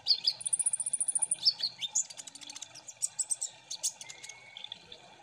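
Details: Ninja sunbirds calling together as a lure to trigger singing. Opens with a fast, evenly pulsed high trill, then scattered thin chirps and sharp squeaky notes, plus a brief lower whistled tone near the end.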